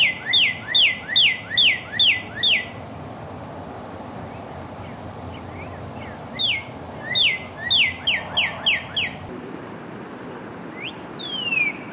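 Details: Two bursts of northern cardinal song, each a quick string of six or seven sharp downslurred whistles, separated by a quiet gap, with steady outdoor background noise.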